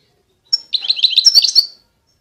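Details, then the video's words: European goldfinch song, recorded 2020: a brief, bright tinkling burst of fast, high, liquid twittering notes lasting about a second, with no other sounds. "Chant De Chardonneret"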